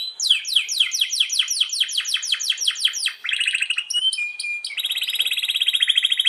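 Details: Canary pouring out a long-rolling master song intended for training other canaries: a run of quick downward-slurred notes, short chirps and a whistle, then a steady rapid trill.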